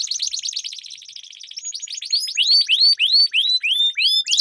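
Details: Canary song used to prompt silent birds to sing: a thin, fast, rattling trill that fades, then a string of loud rising-and-falling slurred whistles repeated about every third of a second.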